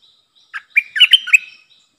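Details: Streak-eared bulbul kept as a decoy to lure wild birds sings a fluid phrase, a low chirp then a tumbling series of bright, warbled notes lasting about a second.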